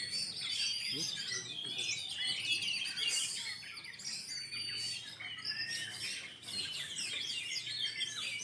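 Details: Oriental magpie-robin song at a 2020 singing contest for caged birds staged during the pandemic: high, bright whistled phrases and quick trills overlap continuously from many contestants, mixed with sharp chirps and a low murmur of spectators.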